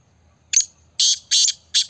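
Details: Black francolin (kala teetar) from Pakistan gives rough, buzzy notes: a short first note, then two long harsh notes and the start of another, loud against a quiet background.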